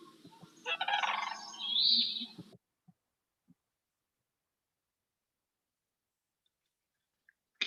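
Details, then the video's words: Sandhill Crane in Montana giving one resonant, rolling bugle, audible for miles, lasting about two seconds: a rattling trill that swells in loudness, followed by silence apart from faint clicks. "sandhill crane audible for miles the resonant rolling bugle of sandhill crane will remind you of dinosaurs and days past"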